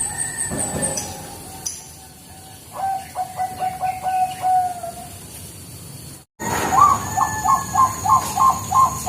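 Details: Zebra dove of the Bangkok type used as lure sound: faint soft notes, then a short burst of rapid cooing, a sudden cut, and a louder rhythmic series of repeated coos.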